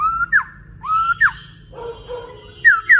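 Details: A male laughingthrush in heated, full song gives loud whistled phrases, each a level rising note snapped off by a sharp downslurred one, about once a second, with a lower, jumbled passage midway.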